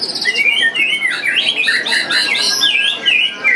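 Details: White-rumped shama (murai batu) at the Piala Candi Prambanan 2 bird singing contest: fast run of clear whistled, slurred notes that rise and fall, with varied phrases tumbling together and other birds calling behind.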